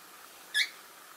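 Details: Pet masked lovebird talking in its sleep, making a cute little voice: one brief, high, bright squeak with stacked overtones, surrounded by quiet room hush.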